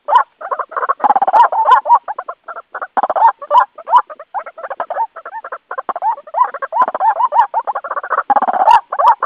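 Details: White-breasted waterhen lure call for attracting other birds to a trap or glue; dense, continuous harsh croaking and grunting notes in quick, uneven succession, with some squeaky rising inflections throughout.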